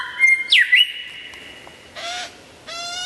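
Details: Loud, clear lyrebird song: a bright whistle that dips sharply and flattens into a long level tone, then two dense buzzy rattling bursts.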